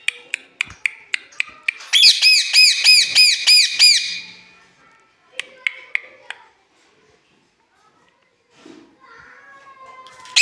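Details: Angry pet parrot fighting with its keeper indoors; a run of sharp clicks, then a rapid series of harsh, high, arching squawks, later a few scattered squawks and quieter sounds.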